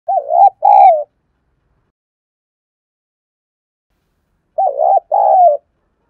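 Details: Spotted dove used as a lure bird, cooing to provoke wild doves: two short bursts of mellow, wavering low coos near the start, a long silence, then a matching pair of coos near the end.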